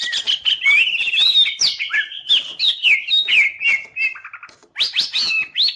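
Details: A green leafbird, tail fanning, sings a rapid, unbroken run of rich whistles, slurred notes and chattering phrases, high-pitched and constantly varied, with a brief pause near the end.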